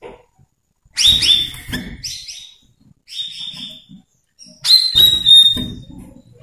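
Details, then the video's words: Cucak rawis song used as a lure for young untrained birds: three bursts of liquid, bubbling whistles with clear sliding notes, each lasting about a second, separated by short pauses, over faint low background noise. "Suara cucak Rawis/Bayeman untuk pancingan burung Bahan"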